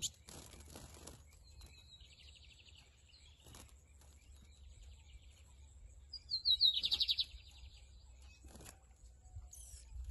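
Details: Lined seedeater, called bigodinho in Brazil, singing in a 2023-season song contest between two birds. Faint scratchy phrases come early, then a loud, rapid, buzzy trilled burst of about a second, over steady clicking and handling noise.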